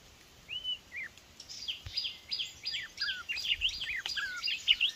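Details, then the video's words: White-rumped shama decoy bird used for trapping, called a weak decoy, giving varied song: clear rising and falling whistles followed by quick buzzy, sliding notes in a busy jumble, with faint background noise. "bấy chòe lửa mồi yếu quá chời"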